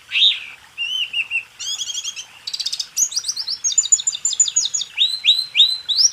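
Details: White-eye song for tutoring caged songbirds: varied phrases of rising and falling whistles, a fast buzzy trill, rapid repeated notes and rising upslurred whistles at the end.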